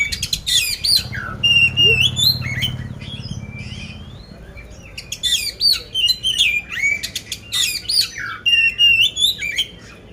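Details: Loud caged poci oriental magpie-robin from Magelang, Central Java, billed as competition-ready with coarse-fill song: repeated sharp whistled slurs and rasping notes in fast bursts, a brief pause, then the phrases resume; a low hum underneath early on.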